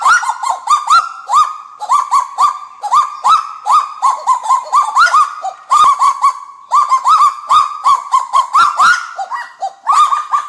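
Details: Kagu, described as the noisiest bird in the forest, giving loud, harsh, barking notes in rapid uneven bursts, each sharply rising then flattening, repeated continuously for ten seconds without pause.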